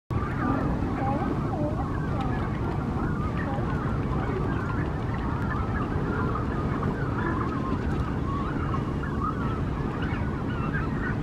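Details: Brandt's cormorant family with three tired chicks at a nest on the Coast Guard pier in Monterey, California; continuous chatter of many wavering, squeaky bird calls over a steady low rumble of surf and background noise.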